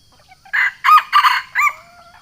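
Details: Sumatran junglefowl giving its rival-challenging crow, used for luring wild birds: a short rasping note, then two drawn-out harsh syllables and a brief closing one, followed by a faint thin whistle from another bird.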